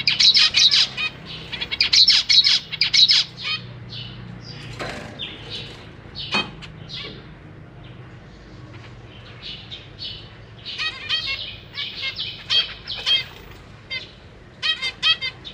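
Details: Caged zebra finches, a pair of parents feeding three juveniles and three newly hatched babies, May 2023: bursts of high, buzzy, nasal chirps with harmonic stacking, crowded at the start and end, a quiet stretch and a thud in between.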